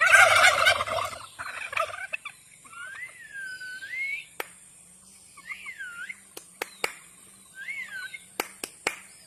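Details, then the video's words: Turkey giving a loud, harsh, rattling gobble burst in the opening second, then a shorter rough burst, followed by several swooping, looping whistled notes and scattered sharp clicks against a quiet background. "Turkey bird real sound"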